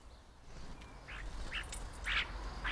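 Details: A European starling mimicking other birds' calls, giving a rising series of short, harsh, squawking notes that grow louder toward the end over a low rumble of background noise.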